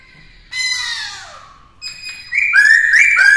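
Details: Caged black-throated laughingthrush singing as a model for a young bird. A long descending whistle gives way to a level note, then bright, repeated upslurred whistles grow louder toward the end.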